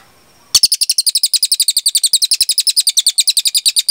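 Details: Cililin in a long, clear burst meant as a tutor for cage birds: a sudden, sustained string of sharp, high-pitched chirps, several per second, running unbroken for over three seconds without other noise.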